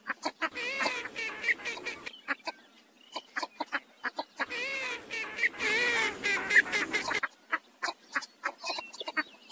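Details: Northern shoveler, a migratory duck, with two long bursts of dense, nasal calls that waver in pitch, separated and followed by a scatter of short clicking or popping notes.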